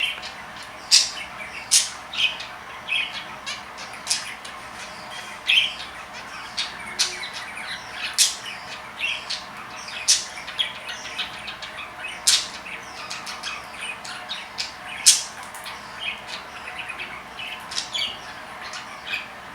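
Budgerigar chatter: a steady run of sharp, scratchy chirps and squawks, repeated every second or so.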